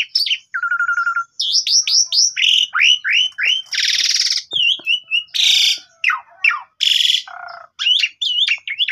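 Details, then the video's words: Javan pied starling song used as a morning lure to get a silent bird singing, recorded on a phone: varied rapid phrases of rising whistles, a buzzy trilled note, harsh broadband rasps and chattering notes in dense bursts. "PANCINGAN WAJIB TIAP PAGI !! JALAK SUREN BISU LANGSUNG GACOR MOMPA"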